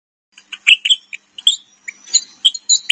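Wagtail calling with quick, sharp, high chirps, about a dozen in three seconds, some doubled like chis-ick, over a faint thin whistle.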